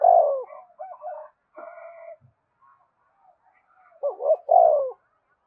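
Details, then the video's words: Spotted dove song used to set off captive birds calling: a falling coo opens, followed by softer mixed notes and a brief buzzy tone, then a complete phrase of hooked notes and a long descending coo. "Tiếng chim cu gáy thúc cực đỉnh, mở lên bổi nghe gáy theo cả ngày"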